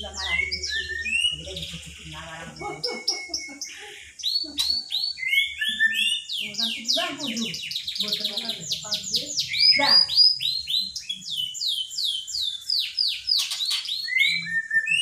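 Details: Magpie-robin mimicking the words "Pak Jokowi" inside a dense, fast song of bright sweeping whistles, chattering trills and sharp chirps lasting about fifteen seconds, with a faint low hum early on.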